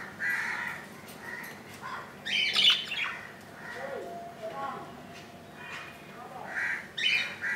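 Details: Indoor budgerigar nest on the second day after a chick hatched on 15 July 2018: scattered buzzy chirps and a louder harsh squawk, with soft rasping notes between them.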